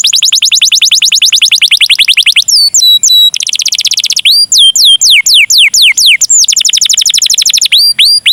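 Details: Canary with an ornate song style (cengkok mewah), used to prompt other canaries to sing: rapid high trills, swooping rising and falling whistles and repeated sharp notes alternating in quick phrases.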